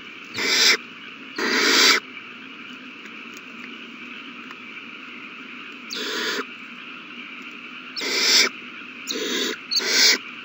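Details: Owl babies at the nest beg while being fed a big meal, March 27, 2020: broad, breathy screeches under a second long, coming in uneven clusters separated by quiet hum.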